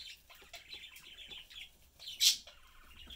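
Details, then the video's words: Budgerigars, a family of parent birds and their youngster kept as pets, chattering while feeding; soft rapid warbling with one loud piercing chirp near the end. "Sunday cute Budgie/Parakeet family lives, chatting, having fun and eating."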